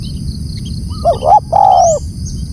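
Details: One loud phrase from a spotted dove: two brief rising notes, then a sustained, slowly falling coo, with faint high chirps in the background.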